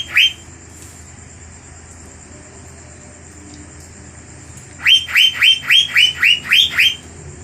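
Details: Fierce 'gacor' lure song of the cucak biru, Asian fairy-bluebird, aimed at provoking other birds. One short ringing note opens, quiet follows for several seconds, then a run of eight rapid rising-and-falling notes.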